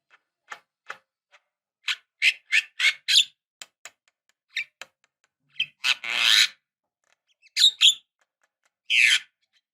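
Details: Javan myna used as a lure to make young birds sing, giving scattered harsh, raspy squawks and clicks that build into denser grating bursts, with longer noisy screeches near the middle and end.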